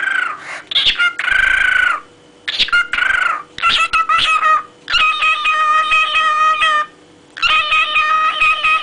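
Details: Pet cockatiel singing in an amusing way: a run of sustained, nasal, harmonic whistled phrases, some lasting up to two seconds, separated by short pauses, with clicks between notes and a faint steady indoor hum.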